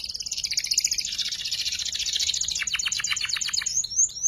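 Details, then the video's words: Learning juvenile canary singing ngeriwik phrases, used to tutor shama and magpie robin birds: a long buzzing high trill that shifts into a slower run of sharp downward notes, closing with brief twittering. "PANCINGAN KENARI PAUD BELAJAR NGERIWIK"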